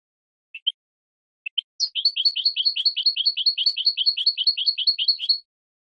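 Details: European goldfinch song from a 2017 training recording for captive birds: a few isolated chips, then a rapid, regular run of paired tinkling twittering notes lasting over three seconds, in a clean, quiet background.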